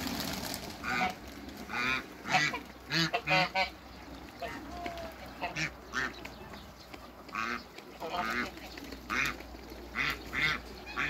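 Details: Hybrid Cayuga and female Muscovy ducks meeting, calling with repeated harsh quacks in uneven clusters, some rapid doubles and triples, over low-frequency hum and background noise.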